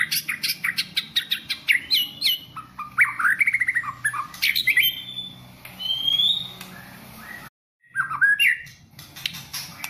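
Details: Varied song of a champion competition white-rumped shama: quick sharp chips and rising notes, a run of rapid rattling trills, then long clear whistles, with a short silent gap before the song resumes; low background hum throughout.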